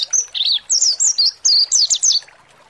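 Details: High, bright chirping from a mountain white-eye singing ngalas-style to provoke other birds: about a dozen tight whistled notes, some dipping lower, packed into two seconds and then fading.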